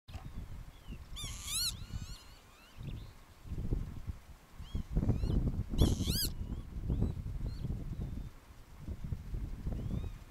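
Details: Young northern lapwings in the Oostpolder, Groningen province, give thin, high, arching whistles, with two louder wheezy bursts a few seconds apart, over a constant low rumble of wind.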